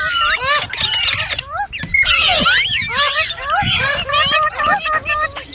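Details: Busy chatter of green parrots, with rapid looping chirps, short upward whistles and a few rough screechy bursts overlapping throughout, over a light low-pitched background hum.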